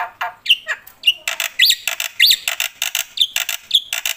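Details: Loud black-winged myna in full song with mimicry: squeaky upward whistles woven through dense, scratchy chattering.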